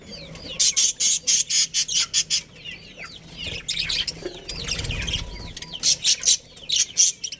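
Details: Budgerigars in a colony, among them a breeding pair, give fast chattering bursts in quick series, with curling warbles between them and a brief low rumble midway.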